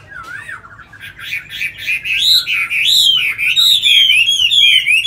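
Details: Tame Chinese hwamei in a cage in Hanoi, Vietnam, opens softly and builds into a loud, sustained flowing song of undulating whistles that climbs and dips continuously to the end.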